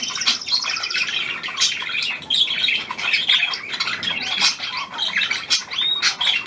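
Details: New hand-tame Australian pied budgerigar recorded 17 February 2023, chattering steadily with quick scratchy chirps, trills and occasional short whistled slides, hardly pausing.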